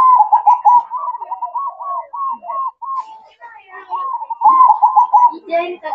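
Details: At night a zebra dove gives a continuous series of soft, bouncing coo notes in quick succession. The notes dip and rise slightly, with a brief lull midway before the rolling notes resume.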